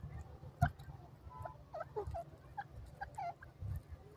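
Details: A francolin (dakne teetar) gives short, harsh, clucking notes in quick irregular bursts, over a steady low rumble of wind or handling noise.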